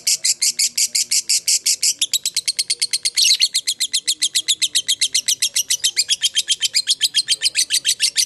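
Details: Long ngekek from a fighter lovebird, played to draw replies from other lovebirds: an unbroken string of shrill, buzzy chatter notes, dense at first, then slightly spaced ticks with a brief louder squawk midway.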